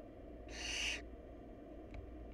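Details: Barn owl nestling in a family lacking food. A single breathy, rasping screech lasting about half a second, followed by a faint click and a quiet low hum.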